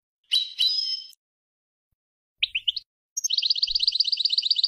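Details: European goldfinch song from a 2020 tutoring recording for young goldfinches and hybrids: short liquid twitters, then a rapid, even run of high tinkling notes, with brief pauses between phrases.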